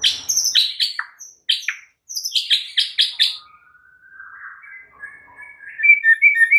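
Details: White-rumped shama singing energetically as a tutor recording for other shamas: a fast series of sharp, high chipping and buzzy notes, a short pause, then a long rising whistle ending in quick warbled notes.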